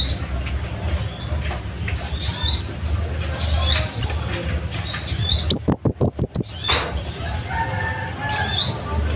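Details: Scarlet-headed flowerpecker, a loud, sharp singer used as a master voice for caged songbirds, giving a burst of six very high, piercing ticks after several seconds of scattered chirps from other birds.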